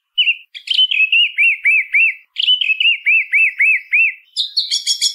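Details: Song thrush repeating a short arched whistle over and over in two bursts, ending with a sharp, high, scratchy phrase. Nothing else is audible.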